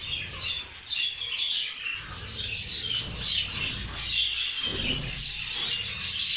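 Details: Pet budgerigars sharing a rice meal with zebra finches, giving dense, overlapping chirps and squawky chatter throughout, with faint low rumbling underneath.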